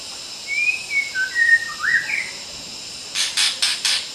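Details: Wild white-rumped shama singing in Kalimantan forest: a short series of clear whistled phrases, gliding and rising, followed by several brief loud broadband bursts; steady insect drone in the background.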